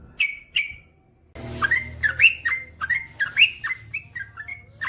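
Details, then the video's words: Lively male yellow-vented bulbul: two sharp whistles, a brief pause, then a chattering series of fluty rising and falling notes in quick irregular bursts, with faint background hiss. "SUARA trucukan gacor ropel panjang"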